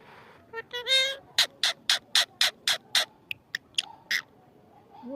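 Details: Talking parrot opening with a rising harmonic squawk, then a rapid run of about ten sharp, clipped syllables, then a few smaller notes and a soft low rising sound at the end.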